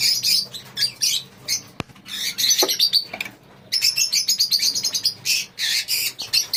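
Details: Lovebird colony chattering almost nonstop: many shrill, high chirps overlapping in fast bursts, with brief pauses and a sharp click between bursts.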